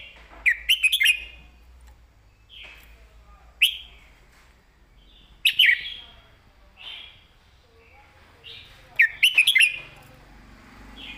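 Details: Clear southern-style master song from a caged red-whiskered bulbul, used to train other caged birds: short, rich, whistled and chirping phrases repeated about every one to two seconds, some with sharp notes, against a quiet background with a low hum.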